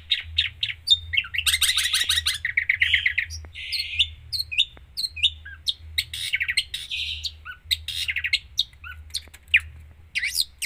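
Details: Long-tailed shrike singing a varied, mimicry-filled song: buzzy trills, rapid chattering runs and sharp single chirps tumbling together, with a low hum underneath.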